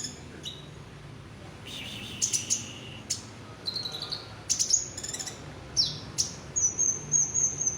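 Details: Olive-backed sunbird in full song, giving a rich repertoire: very high, thin chirps and short sweeping notes, then a level, rapid trill near the end, with faint background hiss.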